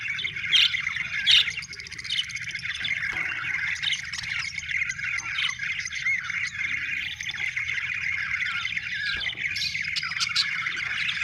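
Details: Budgerigars chattering steadily, a dense, continuous flock warble of buzzy chirps and squeaks with sharper high notes breaking through now and then over a faint low hum.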